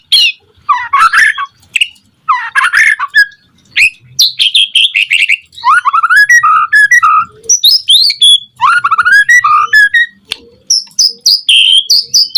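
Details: White-rumped shama singing as a lure to make other shamas respond: harsh rattling bursts followed by long runs of rich warbled whistles and high trilled notes, nearly continuous.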